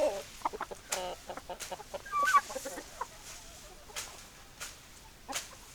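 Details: Chickens cluck in quick uneven bursts, short throaty notes at first, then louder squawking syllables midway and scattered single clucks after that.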